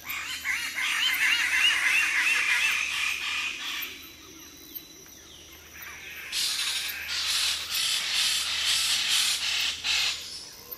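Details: Several Wallace's standardwings at Labilabi, recorded close up, give animated group calls from the junior perch: harsh, raspy squawks in rapid overlapping bursts, a couple of seconds' quiet, then another noisy chorus.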